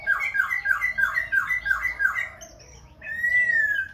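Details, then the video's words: Singing, dancing Khe Sanh laughingthrush switching voice again and again: seven rapid, evenly repeated slurred whistles, a brief high note, then one long, clear, level whistle. "Khướu Khe Sanh hót múa đảo giọng liên tục"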